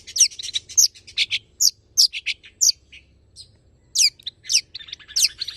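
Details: Tame long-tailed shrike singing full mimicked fill-ins in 'nembak' style to prompt and tutor other birds: scattered, sharp, high notes slurring up and down, delivered irregularly with short gaps.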